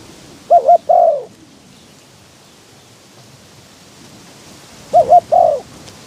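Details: Caged decoy spotted dove, cover opened in strong wind to attract wild doves, gives two cooing phrases about four seconds apart, each two quick notes then a longer coo, over a quiet background.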